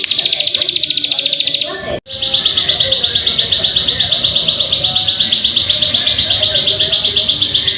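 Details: Plain prinia, played as a lure to get birds singing: a fast run of buzzy, high chirping notes, about three per second, broken by a brief gap after two seconds and then resuming steadily.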